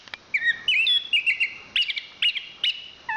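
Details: National champion chestnut-capped thrush giving clear descending whistled phrases, each slurred downward and repeated about twice a second, with short sharp notes between them.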